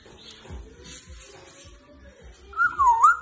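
An African grey parrot gives one brief, clear vocalization that dips then rises, after a couple of seconds of quiet room noise with soft thumps.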